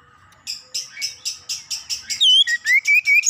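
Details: Oriental magpie-robin song played to provoke another magpie-robin to sing: a steady series of buzzy chirps about every quarter second, then loud rising whistled notes.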